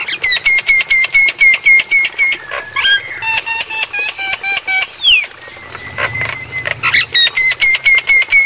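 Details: Javan myna training song for caged birds, suited to night playback: fast rattling series of clipped metallic notes, rapid pulses repeated about twice a second, broken by chatter and slurred whistles.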